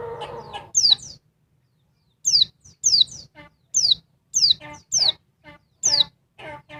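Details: A noisy female oriental white-eye agitates a male with bright falling whistles, often paired, interspersed with brief nasal chatter notes. A low murmur opens the recording.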